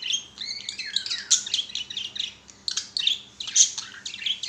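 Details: Budgies at play on a swing pour out a chattering warble, mixing bright whistled squeaks, short rising and falling notes and scratchy clicks in quick succession.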